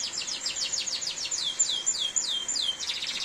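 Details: Canary song amid heavy rain: rapid repeated high notes, then several slower swooping whistles dropping in pitch, followed by a fast buzzy trill, with a constant rain hiss behind.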